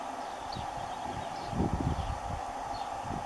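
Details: White stork bill clattering during courtship and mating, with a run of dry, wooden knocks in uneven bursts made by rapidly opening and closing the bill, over a steady hum of background noise.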